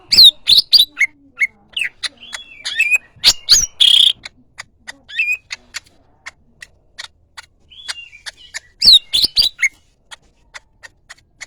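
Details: Yellow-headed greater green leafbird song of rapid sharp chirps and soft ticks, with a short buzz and twittering whistles, then scattered quiet clicks.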